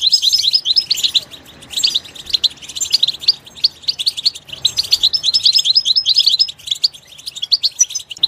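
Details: Goldfinch in its natural habitat, voicing rapid jingling phrases of high twittered notes, occasional drawn whistles, with brief quieter spells between phrases.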